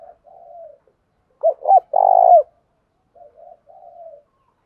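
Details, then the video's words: Vietnamese spotted dove call for luring doves into calling: a strong three-part phrase of two clipped hoots and one long, throaty coo, framed by softer distant coo phrases. "chim cu gay kich boi"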